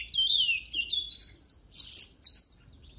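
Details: Oriental magpie-robin singing up close: smooth, falling and rising whistled slurs in quick succession, then a loud harsh burst and a final bright upward-sweeping note.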